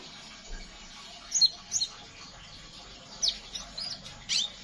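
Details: Chirping of a Scarlet minivet, ngeriwik style, intended to coax other birds into song: brief, very high, thin down-slurred notes in twos and threes, scattered across a few seconds over faint hiss.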